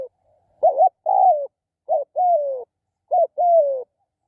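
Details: Spotted dove gives three clear two-part coos: a brief throbbing note, then a drawn-out, gently falling coo. The pairs are spaced about a second apart against a silent background.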